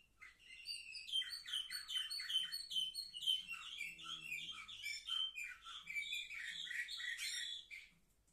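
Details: Canaries at seven months of age, recorded on 10 November 2023. They sing a varied song of rhythmic, repeated chirps and whistled slurs. Faint low rustling sounds underneath before the song fades out.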